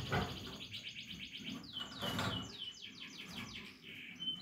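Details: Chicks of the Portuguese Harlequin canary, a breed of domestic canary, giving fast series of repeated upslurred notes and dense trills, about eight notes per second, with low room noise beneath.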